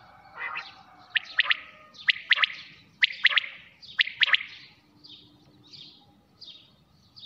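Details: Quail calling at night: sharp, clipped three-note phrases repeated about once a second, each note an abrupt ringing click, loud at first then fading to softer, more distant-sounding phrases.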